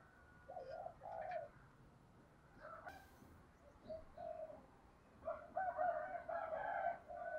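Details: Spotted dove giving the double-ending call style known in Vietnamese as "gọi hai hậu" or "giọng đôi ròng", from a decoy bird: soft, low, rolling coos in short groups, fainter at first and then louder.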